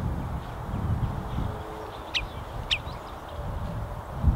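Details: A common redshank calling to its young gives two sharp, high, slightly falling whistled notes about half a second apart over a steady low rumble of wind.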